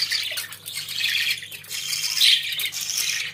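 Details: Pet budgerigars chattering indoors, a continuous scratchy, warbling stream of high chirps and squawky notes with one brighter whistled note near the middle, under a steady low hum.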